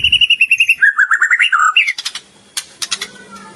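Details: Energetic white-rumped shama song with mimicked phrases: a quick string of even high chips, then lower wavering whistled notes that climb, followed by a few sharp separated clicks.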